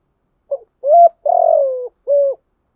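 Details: Single full phrase of a spotted dove's lure song for luring wild doves: a brief soft note, a rising coo, a long wavering coo that falls away, and a final even coo, in silence.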